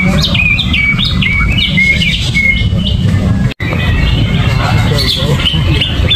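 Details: Greater green leafbird (cucak ijo), uncovered cage, agitated 'gerabakan' singing: clear whistled notes and short slurred phrases early on, fainter chatter later, over steady low background rumble and a brief dropout.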